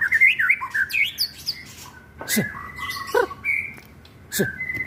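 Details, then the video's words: White-rumped shama song recorded on an Android phone in Lebak, Banten, played as a lure to make other shamas quickly agitated: varied whistled, warbling phrases that jump between pitches, a few long steady whistles, and sharp knocking sounds in between. "pancingan burung murai yg susah bunyi agar burung cepat emosi"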